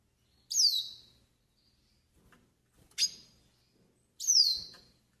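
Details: Pintassilgo do nordeste (Yellow-faced siskin), song for pairing and warming up: three high, sharp notes roughly every one and a half seconds, the first and last sweeping down in pitch, the middle one shorter.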